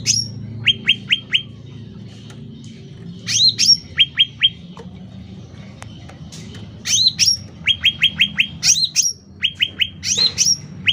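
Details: Sooty-headed bulbul singing energetically for use as training and luring sound: sharp upslurred notes and rapid sets of short dropping chips, given in separated bursts with quiet gaps between.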